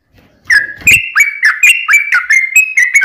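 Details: Sooty-headed bulbul in rapid 'ropel' song played as a lure so other bulbuls reply: after a faint rustle, clear bubbly whistles follow one another about four times a second, each note dipping and rising.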